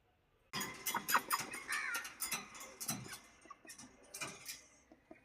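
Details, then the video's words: A duck quacks in a run of harsh, raspy bursts, quick and uneven, for about five seconds, fading toward the end. "duck sound"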